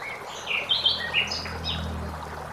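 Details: Common blackbird singing in a forest beside flowing water: a brief phrase of smooth, fluty warbled notes sliding up and down, with a faint higher twitter from another bird and a steady low murmur of running water beneath.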